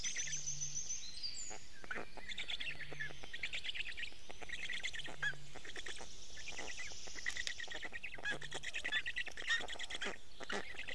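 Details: Storklets of the black stork at an Estonian nest, morning of 29 May 2018, receiving fish from the father: scratchy, wheezing calls and squeaks in irregular bursts, with faint low hums and constant background noise.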